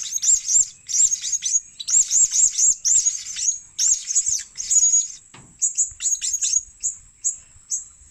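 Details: Blue-crowned hanging parrot, a luring call: a dense stream of very high, shrill squeaky chirps in quick clusters of two to four, continuing for eight seconds with short gaps between bursts.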